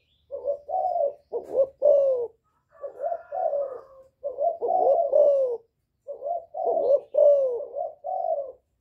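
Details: A young male spotted dove gives calling coos with bowing coos, soft and mellow in short rolling phrases, meant to provoke rival doves.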